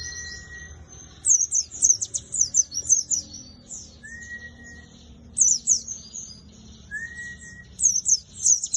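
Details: White-eye called Buxtoni competing in a singing contest: fast, very high, sharp trilled twittering phrases in three main bursts, with thin level whistles about every three seconds in between, over a quiet background.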